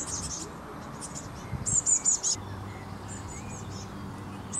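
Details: Young blue tit fledgling begging while it waits for food in shrubbery, Canon HV20 camcorder: one clear burst of four high, thin squeaky notes, then a fainter similar run over a constant rumbling background.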